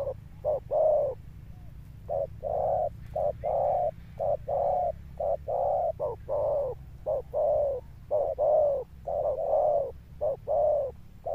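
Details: Male spotted dove of the 'cọp' type cooing in a thunder-toned voice with an enduring finish. Deep, hollow notes pulse in a long run, short beats mixed with stretched ones, over a faint low hum.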